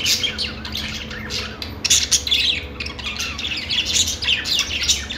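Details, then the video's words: Budgies singing and chattering: a dense, continuous stream of overlapping high chirps, squeaky twitters and short scratchy squawks from several birds, with a steady low electrical-sounding hum underneath throughout. "budgies singing | budgie sounds | parakeet chirping sounds"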